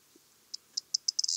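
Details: Corn bunting song opening: a series of high, dry ticks spaced a quarter second apart that speed up and run into the start of a jangling trill at the very end; quiet background.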